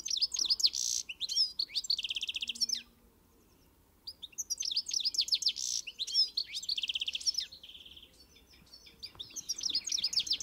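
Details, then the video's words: European goldfinch delivering dense bursts of rapid twittering and buzzy nasal notes, each outpouring lasting a few seconds before a short silence. "O canto do Pintassilgo (Carduelis carduelis)"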